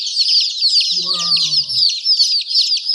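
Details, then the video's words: Chicken chicks peeping in a dense, continuous chorus of high, shrill chirps overlapping without pause; a brief low droning voice-like sound is heard near the middle. "Murgi baby chirping sound"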